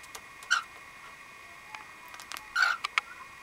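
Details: A pet cockatiel on top of its cage, excited and then suddenly calming, April 2010, gives two short, harsh squawking notes about two seconds apart, with soft clicks and a faint steady household hum behind.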